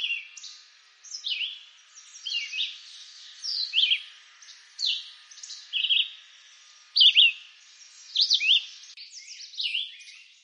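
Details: Red-eyed vireo singing in eastern North American woods: short whistled phrases, some rising and some falling, repeated roughly every second with brief pauses between them, plus fainter overlapping chirps in the background.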